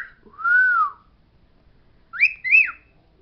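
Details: Pet parrot indoors singing the words it knows: a long smooth arched whistle, then after a pause two short, sharply rising whistled notes with a hooked ending. The room is otherwise quiet.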